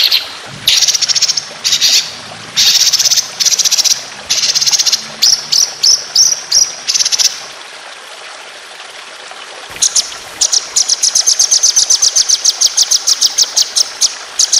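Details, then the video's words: White-rumped shama training song with long rapid 'tembakan' bursts: loud buzzy rattling phrases alternating with pauses, then a long sharp staccato run of very high notes repeated several times per second. "Masteran Burung Lomba Tembakan Panjang Roll Speed"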